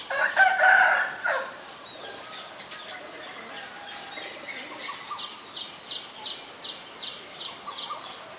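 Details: Common myna in Ubon Ratchathani, Thailand, recorded on May 4, 2022 with a Nikon P1000: a loud, harsh, rasping burst in the first second, then after a lull a fainter run of short, regular chips, about four per second.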